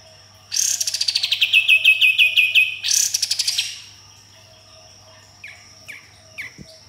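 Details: Sooty-headed bulbul in captivity delivering 'tembakan' song with rough 'besetan': a loud harsh burst opening a fast run of evenly spaced sharp chirps, another rasping burst, then a few softer falling notes against a steady high whine.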